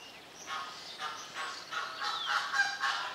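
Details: Captive greater flamingos at Opole Zoo honk in a steady run of harsh, nasal, goose-like notes, roughly four per second and growing louder, forming a busy flock chorus.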